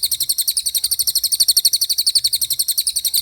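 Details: Common iora rolling its song at speed, a steady run of rapid, sharp, high chirping notes, about eight per second, continuing throughout without a break.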